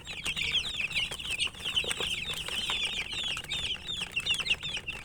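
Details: Chicks of the domestic chicken feeding and chirping, many thin high peeps running together without pause, with sharp tapping clicks scattered through.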